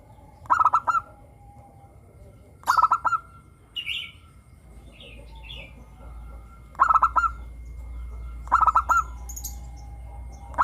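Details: Zebra dove of a local strain singing in the morning amid other doves: four stuttering bursts of clipped coos ending in a drawn-out coo, spaced unevenly, with faint chirps and a low hum between.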